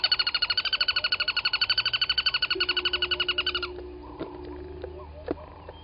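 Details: Crested barbet at a South African waterhole in Sabi Sand Wildtuin, 07:34 on 23 August 2020, delivering a long rapid pulsed trill for nearly four seconds that fades out, followed by a low hum and scattered soft clicks.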